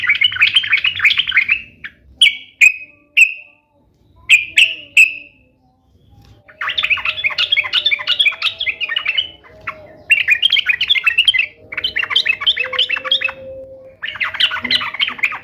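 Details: Sooty-headed bulbul in full song to make other bulbuls sing in reply: a chattering phrase, a few separate whistled notes, then long stretches of fast, bubbly warbling broken by brief gaps.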